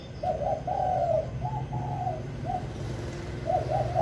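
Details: Decoy spotted dove that starts singing quickly, giving soft rolling coos in short bursts, then a brief pause before more coos; a low hum runs underneath.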